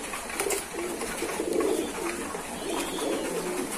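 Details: Coos from a group of kept pigeons, deep and purring, rising and falling in bursts that overlap among several birds, with faint clicks and rustling.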